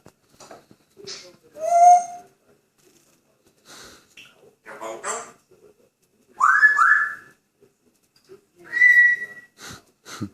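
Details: Pet grey parrot in a good mood indoors, giving several short tonal whistles, one rising and bending, mixed with clicks and chattering noises, with gaps of silence between bursts.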